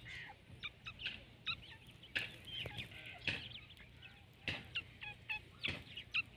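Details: Partridge uttering thin, high, clipped notes in loose groups, interrupted by several loud dull knocks and a constant low hum.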